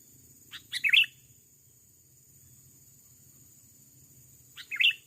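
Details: Wild male Sooty-headed Bulbul, aggressive toward a decoy bird, calling while being trapped in an overgrown rubber plantation; two brief bursts of sharp, chattering chirps, near the start and the end, separated by quiet with a low background hum.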